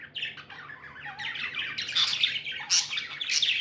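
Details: Happy budgies chirping as pets: rapid scratchy warbles building to louder, bright, high squeaky chirps in the second half, over a soft background hum.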